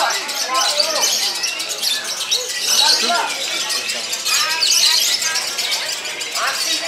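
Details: Competition lovebird performing ngekek, a long chattering trill, while headbanging. The sound is a dense, unbroken stream of high, scratchy chatter with quick squeaks, swelling and easing slightly every few seconds.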